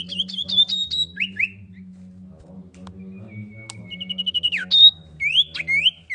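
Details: Lure recording of a female common iora calling the male: fast whistled rising notes, a lower slur, a long thin whistle leading into a quick trill and a sharp falling note, then two looping whistles, over a low hum.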